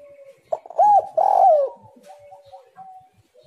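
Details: Spotted dove song used as a lure to make other doves sing: a loud pair of arched, hollow coo notes, then softer drawn-out cooing tails fading out, with faint fainter coos in the background.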